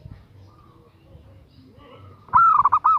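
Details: After a quiet stretch of faint background chatter, a female zebra dove calling for a male gives one phrase: a rising coo leading into a fast rolling trill of soft notes.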